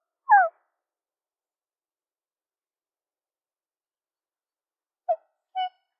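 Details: Black swan uttering a loud, slightly falling nasal honk, then after a long silent gap a short clipped note and a brief level trumpeting note; background otherwise silent.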